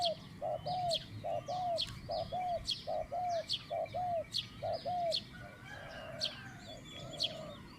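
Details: Spotted dove, a captive decoy bird used in dove luring, giving middle-pitched 'kuk' coos: low hollow paired notes repeated steadily about once a second, with sharp high chirps of other birds above and a faint rural hum.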